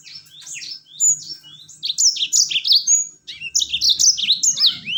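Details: Continuous yellow-fronted canary song in rol tembak style, used as a lure so other birds join in; high, fast, looping whistled notes tumble in close phrases with brief pauses, loud and clear throughout.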